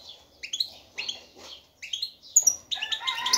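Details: Male European goldfinch singing to attract a female for mating: soft, spaced, high twittering phrases that grow denser and louder toward the end.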